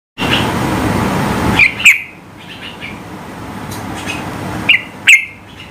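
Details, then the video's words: Yellow-vented bulbul giving high-pitched shots meant to goad rivals into singing: two pairs of sharp, clipped chirps with a ringing echo, separated by about three seconds, over a steady rumble of passing traffic. "Trucukan gacor tembakan tinggi gertak lawan agar ikut bunyi gacor ropel"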